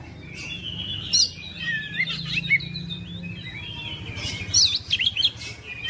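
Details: Oriental magpie-robin song of loose whistled warbles and slurred rising notes, punctuated by sharp scratchy bursts near the start and end, over a faint low background hum.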